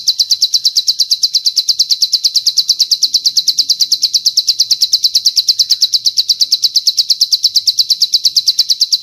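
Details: Master training audio of a bar-winged prinia carrying a long cililin phrase: bright high-pitched chips repeated in an unbroken fast train, roughly seven each second, for the full length.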